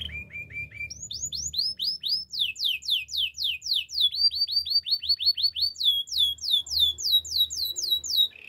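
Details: Canary singing, recorded for song training: series of repeated high sweeping notes, each falling sharply, with a steady low hum beneath.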